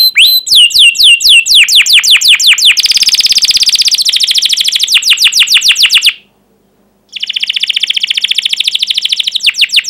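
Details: Canary in loud energetic song, played to stimulate young birds to learn singing and to prompt silent birds to answer: fast repeated downward-sweeping chirps, dense trills and rolls, a brief pause, then another rapid chirping roll.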